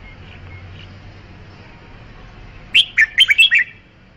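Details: A red-whiskered bulbul delivers one quick, tumbling phrase of about six loud, slurred whistles near the end, after faint background notes and a low hum.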